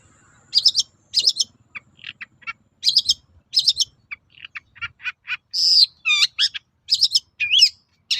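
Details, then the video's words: Long-tailed shrike lure song for drawing answers from other shrikes: spaced bursts of high twittering chips, scattered squeaks, then rising and falling whistled slurs and harsh notes toward the end. "SUARA BURUNG PENTET GACOR AMPUH UNTUK PANCINGAN CENDET LAIN AGAR NYAUT"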